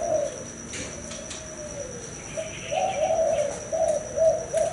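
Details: A spotted dove, an adult male that has fathered several broods, coos in low, soft, hollow notes, a few drawn-out phrases with a slight rise and fall, over a faint steady high hiss.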